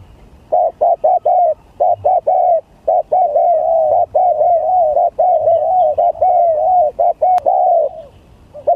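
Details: Spotted dove song in a contest setting: a long run of cooing notes around the same low pitch, mostly short coos broken by longer rolling ones, pausing briefly between bursts for nearly nine seconds.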